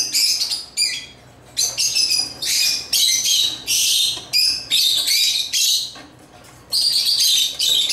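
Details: African lovebirds chirp while playing with toys. Harsh, high squeaky bursts come in quick uneven runs, with short gaps between them.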